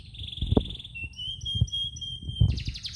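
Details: Canary in morning song: sustained whistled trill holding steady, then a quick rapid run at the end, with low thumps and background noise.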